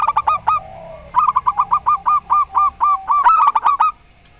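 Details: Zebra doves, local Rondo Semoyo type against an odd-voiced bird, calling back and forth: quick bubbling coos, then a long run of evenly spaced rolling notes about four per second, ending in a rising trill.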